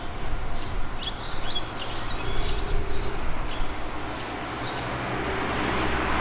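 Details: A flock of red-rumped swallows in Mashiko, Tochigi, Japan, on 5 July 2020, giving short, high chirps that bend up and down, scattered irregularly through the clip over a steady low rumble like distant traffic.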